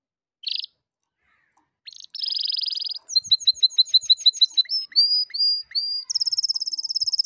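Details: Canary singing, recorded for teaching silent young canaries to sing: a brief chirp, a buzzy sustained roll, quick repeated double notes, sliding whistles, then a high rapid trill.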